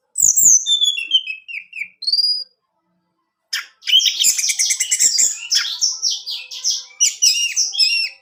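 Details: Song of an orange-headed thrush meant to trigger singing in a kept male: a descending series of clear whistled notes, a brief upward whistle, silence, then a long dense rush of high chattering, scratchy warbled phrases.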